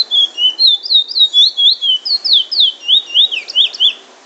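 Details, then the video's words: A Chestnut-bellied seed finch (locally called bullfinch) in Trinidad sings a fast run of sweet, sweeping whistled notes, about four per second, rising and falling in a lively "drawl" and "wheet drawl" style phrase. "Bullfinch singing drawl and wheet drawl"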